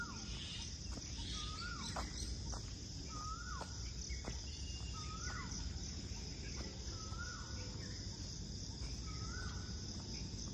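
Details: Indian cuckoo singing at Surajkund picnic spot in a natural setting with a cool breeze: mid-pitched whistled notes with a slight downward hook, every 1.5–2 seconds, over a steady high insect drone and low rumble.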